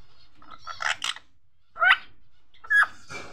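A rose-ringed parakeet talks in short, raspy, speech-like bursts, then gives two quick nasal squawks about a second apart in a quiet room.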